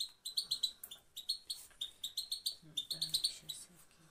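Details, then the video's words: A European goldfinch, recorded to stimulate male goldfinches and tagged Afghanistan, gives quick bursts of high, thin, tinkling twitters, several notes at a time, repeated every half second or so, over a faint low murmur. "motivation for male پت پت مادی برای مست"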